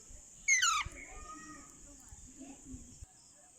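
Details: Pet rose-ringed parakeet (Psittacula krameri), possibly a young bird, gives one loud, harsh squawk that slides downward in under half a second; a faint whistled note follows over a steady background hiss.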